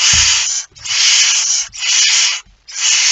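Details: Barn owl holding a mouse, Friesland, Netherlands, 2019: loud, sustained, noisy hissing screeches of nearly a second each, with brief gaps and faint low thumps.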